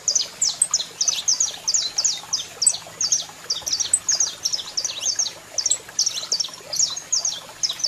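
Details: Male saffron finch singing, female calling, for training: continuous high, clipped chirps and slurs, fairly even over nearly eight seconds, with a faint low hum.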